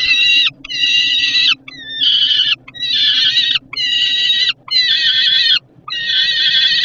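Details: Repeated, harsh, drawn-out screams come from a hungry young peregrine falcon below the nest ledge in Żerań, Poland, on 10 August 2022 at 17:35, after a parent arrived with food. The screams are separated by short pauses, and a low mechanical drone runs underneath.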